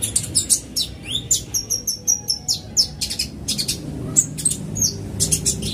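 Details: Van Hasselt's sunbird in a fast lure sound: steady stream of high, sharp, slightly buzzy notes and falling slurs, several per second, with a low hum underneath.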